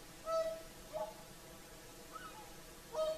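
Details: Whooper swans singing on the shore of Lake Saimaa, Finland, in the evening at sunset; a few brief, clear bugling notes, two of them loud, separated by quiet gaps.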